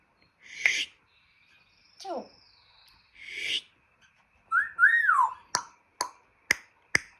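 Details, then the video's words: Household African grey parrot runs through its repertoire of funny sounds: rasping bursts, a descending squeak, a warbling two-part whistle, then four evenly spaced sharp clicks. "Jarvis the African Grey and his funny sounds"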